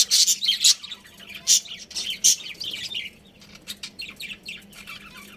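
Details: Budgerigar breeding pair and family: loud squawky chirps in the first seconds, several sharp accented calls, then softer scattered twittering fading toward the end.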